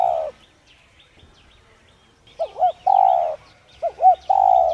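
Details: Spotted dove, called cu gáy locally, cooing to stir other doves into cooing: low mellow phrases of two short wavering notes and then a longer steady coo, repeated about every one and a half seconds, with faint small-bird chirps behind.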